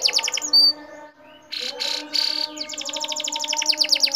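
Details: Atlantic canary singing vigorously, used as material to stimulate other birds to sing: fast trills of sharp, high, downward-slurred notes, a brief pause, then dense buzzy notes, then rapid trilling again, over a steady low hum.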